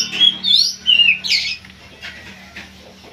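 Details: Oriental magpie-robin in pacingan, giving a quick burst of bright whistled and scratchy notes in the first half, then faint scattered notes over a steady low hum.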